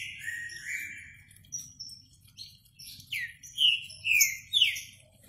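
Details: Green-winged saltator giving a run of clear, slurred whistled notes that grow louder toward the end, each sliding down in pitch, with high chirping from other birds and a faint low hum behind.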